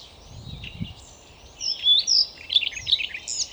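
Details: Siberian rubythroat from Novosibirsk, Russia: after a second of soft low rumbling, a short burst of song with clear whistled slides and quick chirping notes, about four per second.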